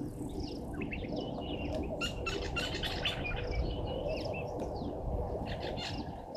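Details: European bee-eaters at a waterhole on Djuma Game Reserve, Sabi Sand, South Africa, late afternoon, 15 January 2023, recorded by a live camera: scattered short trilled and liquid chirps from several birds over broad wind-like rumble.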